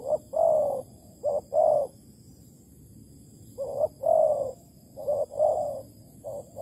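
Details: Spotted dove calling at a bare-bait bird trap in Malaysia on 11 August 2020. Repeated coo phrases, each a quick note then a longer rounded one, come in two bursts separated by a short lull, with a steady faint hum behind.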